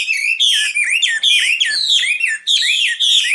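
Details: Loud, piercing song of a common nightingale, made of repeated bright chevron-shaped whistles that rise and fall in quick pulses, broken by brief pauses.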